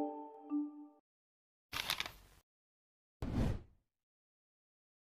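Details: A brief electronic musical tone, then two short bursts of harsh broadband noise, with no animal voice.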